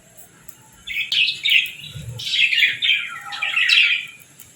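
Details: Budgerigars in the evening at feeding time on seeds and millet. After a quiet start, bursts of bright, scratchy chirps and warbles come in quick overlapping phrases, with a soft low thud in between.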